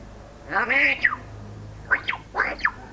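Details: African grey parrot talking, giving one drawn-out harmonic, speech-like syllable followed by two short bursts of squawky, wavering syllables.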